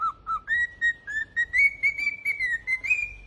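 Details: Cockatiel kept as a pet on a singing spree, whistling a steady string of short clear notes that climb gradually in pitch over about three seconds.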